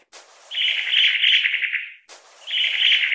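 A long-tailed tit gives two dry, buzzy, rolling trills, each about one and a half seconds long and fairly high-pitched. A soft hiss of background noise runs underneath.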